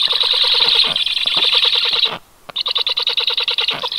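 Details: Calls of stork chicks, 18 July 2022: rapid rattling, rasping pulses about three per second, running two seconds, falling silent for a moment, then picking up again in choppier bursts.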